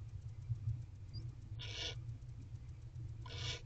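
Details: A wild barn owl pair in a nest box, mating and bonding on their 50th night together, 8 April 2023 at 8:50 pm. Two short, harsh, hissing screeches about two seconds apart over a low steady hum.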